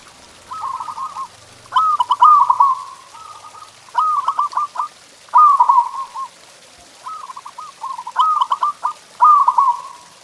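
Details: Masteran song of a local zebra dove, played to make pet doves sing: a steady string of short stuttering coo phrases, about seven in ten seconds, each ending in a rolled trill.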